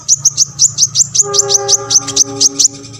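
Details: Olive-backed sunbird, used to provoke other sunbirds to sing, repeating a quick high chirp about five times per second in a steady rhythm, with a low tonal hum entering midway.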